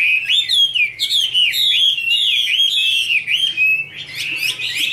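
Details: Female Chinese hwamei singing, with a male in the background: sustained bright whistled phrases with quick upward flicks, a long steady note, then renewed energetic warbling.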